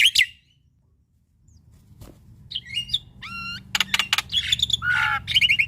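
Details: Male black-winged starling singing a full varied song used to tutor and stir young starlings; harsh chatters, rising whistled slurs and rapid buzzy bursts come in irregular phrases after a quiet pause, with low hum beneath.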